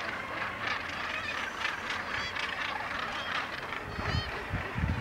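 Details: Common guillemots on Helgoland: a dense, continuous din of harsh, growling, overlapping calls from many birds, with some rising, wavering notes standing out and a low rumble underneath.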